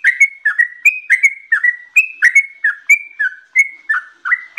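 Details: A yellow-vented bulbul sings a long ropel phrase: clear, ringing whistles alternating between higher and lower notes, roughly three or four a second, the run flowing on without a break.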